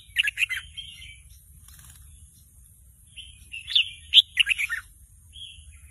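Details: A young red-whiskered bulbul practising its song, excited by a played lure recording, makes a few quick chirps, falls quiet, then gives a livelier burst of bright, stuttering notes.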